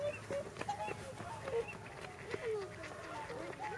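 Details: Whooper swans at a pond in Nagamine, Nishiyama-machi, Japan, where nearly 300 swans gathered shortly before their journey north: scattered soft honking notes from many birds overlapping, some rising, some falling, over a steady low background hum.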